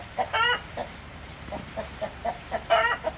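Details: Splash Wyandotte breeding hens give a harsh squawk, then a run of short, mellow clucks, then another loud squawk.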